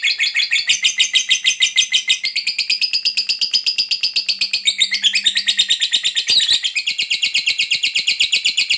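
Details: Long ngekek chatter from a fighter lovebird, played to coax silent lovebirds into singing. Unbroken, rapid, buzzy rattle of squeaky pulses that briefly roughens and dips in pitch near the middle before running on.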